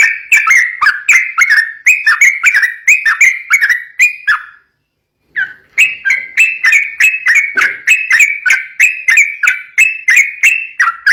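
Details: Rapid ropel singing of a sooty-headed bulbul, a lure for training raw bulbuls: quick repeated whistled notes, a brief half-second silence midway, then the same brisk bubbly phrases resume.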